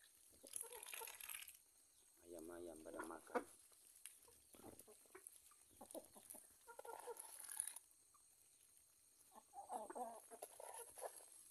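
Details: During a morning feeding of backyard chickens, ducks and Muscovy ducks, chickens cluck in short, harmonic bursts while a person calls "gur, gur" nearby.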